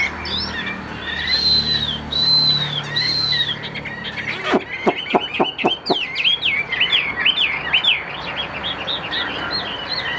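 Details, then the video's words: Chinese hwamei, a calm-mannered caged bird with a steady, fine voice: loud, varied high-pitched whistles, slurred arching notes, a burst of sharp rapid clicks, then quick rising and falling phrases. "Họa Mi Tam Hoàng, Hót Hét Rất Ổn"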